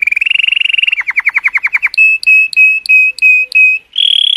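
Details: Colour canary singing to stimulate females: a rapid trill, then a string of sweeping downslurred notes and a series of bright, clear, high whistled phrases.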